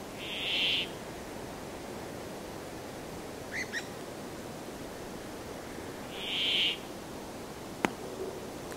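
A Brambling gives two drawn-out, nasal, buzzy wheezes about six seconds apart, over steady background hiss, with a faint chirp and a sharp click between them.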